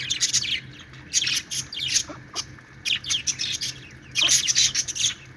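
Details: Several pet budgerigars, described as happy and playing, chirping in quick bursts of bright, scratchy warbling notes, clustered at the start, middle and end, with a faint low steady hum underneath.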